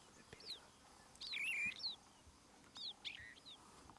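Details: Sooty chat in the Masai Mara gives short, scratchy whistled notes and quick down-slurred chirps in two brief bursts, high-pitched, over faint background hiss.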